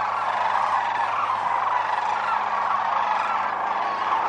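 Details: Thousands of wintering sandhill cranes fly off one morning at Whitewater Draw Wildlife Area, southeastern Arizona, north of Bisbee; a dense, continuous chorus of overlapping rolling calls merges into a steady roar with a faint low hum beneath.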